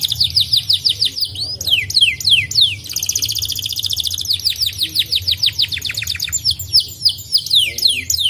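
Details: Singing white canary whose song is played daily to keep caged canaries singing: rapid, high, downslurred whistles in quick series, broken by a dense metallic trill, then more fast sliding notes.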